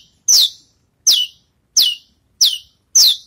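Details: Javan bush lark, freshly moulted, practising song: five loud, clear notes each swooping steeply downward, evenly repeated about every two-thirds of a second on a silent background.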